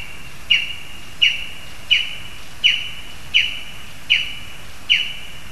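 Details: High, sharp yelping of a lesser spotted eagle in a spruce in Zemgale, Latvia, with a frog brought for the young; seven loud, evenly spaced notes, each falling briefly, about every 0.7 seconds over light hiss.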